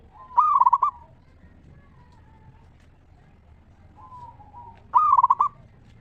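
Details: Local zebra dove's 'ngeristal' song, intended to prompt other zebra doves to sing. Two strong, rippling coo bursts about four and a half seconds apart, separated by faint gliding coos.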